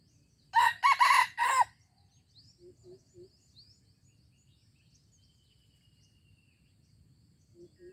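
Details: An Aceh junglefowl, 25 April 2020, gives a loud, harsh four-syllable crow lasting about one second, followed by near silence broken by soft low clucks and faint distant chirps.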